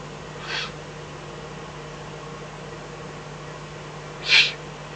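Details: At night in the Eifel, 24 May 2014, a Eurasian eagle-owl calls while a fox is brought as food: two brief breathy hisses about four seconds apart, the second louder, over constant low background hum.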